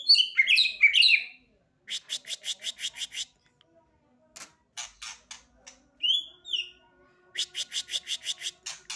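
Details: Novice white-rumped shama singing energetically: bright warbled phrases followed by rapid runs of evenly repeated high notes, a brief rising whistle, then another fast repeated series, with short pauses between bursts.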